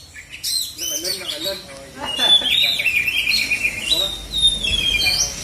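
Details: Oriental magpie-robin, black-and-white form, at a bird singing contest in South Aceh, Indonesia. A person speaks at the start, then the bird delivers long, sweet whistled phrases with gliding notes and rapid trills.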